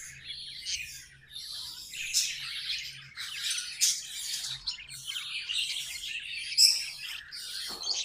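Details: Tame pet budgies singing indoors: dense, scratchy, chattering warble of rapid high notes and squawky bursts, continuous for about eight seconds with a faint low hum beneath.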